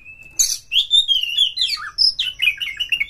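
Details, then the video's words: Oriental magpie-robin, a kept bird, delivering a fast song meant to rouse other magpie-robins to sing: a long steady whistle, then a rapid tumbling run of sweet whistles, slurred notes and harsh chatter without a break. "pancing KACER sampai GACOR NGEPLONG BONGKAR ISIAN BUKA EKOR suara cepat Naikan EMOSI KACER Anda"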